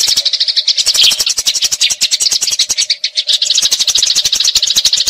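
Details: Eurasian tree sparrow fighting, a rolling, long-running chatter used as tutor audio for magpie robins; dense, rapid high chirps run nonstop for the whole stretch, with brief louder bursts near the first second.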